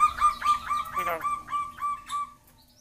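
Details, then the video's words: Yellow-eyed Javan myna imitating human speech, said to be clever and able to copy people: a string of short harmonic word-like syllables, about seven evenly spaced, with a raspy burst near the middle. "Jalak kebo mata kuning ngomong kabib batuk,salam,piro,tuku pulsa."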